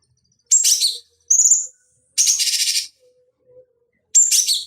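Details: Cucak cungkok bulbul, lure song for conditioning fighting birds: short bursts of whistled high notes mixed with rapid buzzy chatter, three phrases in under five seconds.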